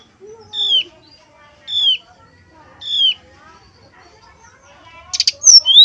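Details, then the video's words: Male brown-chested jungle flycatcher singing in a whistling style used to make other males answer: three evenly spaced downslurred whistles over soft background notes, then a harsh buzzy burst and a rising whistle. "TES SUARA SRDC JANTAN KALIAN.!! PANCINGAN SRDC SIKATANRIMBADADACOKLAT, SUARA SRDC, SRDCNYULING"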